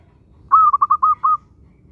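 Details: Local zebra dove singing actively, meant to coax other doves into song: a short phrase of five mellow, staccato cooing notes that ends on a slightly longer note, in a quiet setting.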